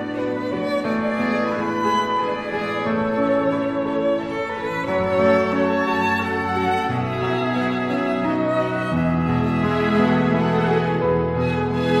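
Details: Slow, mournful bowed string music, with violin and cello tones layered over sustained low notes; no animal sounds are present.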